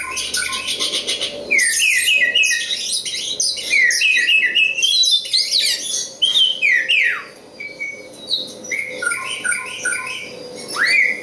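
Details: An Oriental magpie-robin, a local East Java bird, sings a rich, fast medley of sweet whistles, buzzy trills and sharp rising and falling notes, with brief pauses between phrases.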